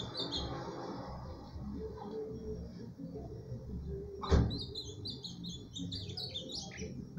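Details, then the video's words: Ultramarine grosbeak singing about 15 songs in under a minute: runs of high, quick, sweet notes that rise and fall, over a low indoor rumble, with a sharp knock midway. "Azulao dando15 cantos em menos de1minuto"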